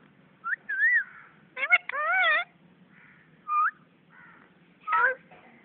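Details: Talking parrot: a few short, voice-like whistled and warbled syllables with wavering pitch, separated by pauses, over a low background hum.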